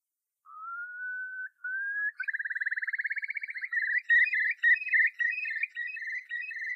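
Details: A curlew singing in flight gives slow, rising whistles that speed up into a fast, bubbling trill of rapid repeated notes, with no other sounds in the background.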